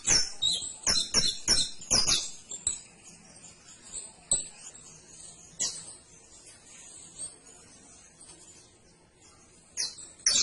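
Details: Canary singing in fast bursts: a rapid string of sharp high chirps over the first two seconds, scattered notes and a faint thin trill afterwards, then two chirps at the end.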